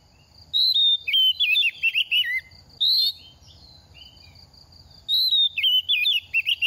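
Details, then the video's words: Moulting young oriental magpie-robin entering its second season, singing as a stimulation song. Two bouts of sweet, varied whistled phrases, sliding downward in twisting runs, separated by a few seconds of quiet and a steady high background whine. "Kích chim hót mùa thay lông | Choè than bánh tẻ lên 2 vụ mau mồm đang rớt lông p3 Kích Choè Than Hót"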